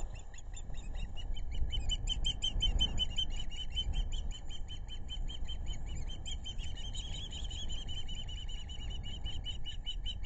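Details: Ospreys, both parents and two chicks together in their nest on the Narrow River, Rhode Island, July 11, 2022, from a live webcam: a long, fast series of thin, piercing chirps going on throughout, rising slightly in pitch partway, over low background rumble.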